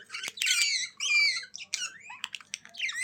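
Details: Budgie warbling loudly: drawn-out, harmonic-rich squawks with wavering pitch, broken by quick chirps and squeaky notes toward the end over a faint background hum.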